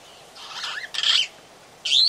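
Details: Long-tailed glossy starling calling at close range at Oyster Creek on the Coast Road, The Gambia: three harsh, rasping, noisy bursts, the first drawn-out and scratchy, the second loud and grating, the third a sharp squeal at the end.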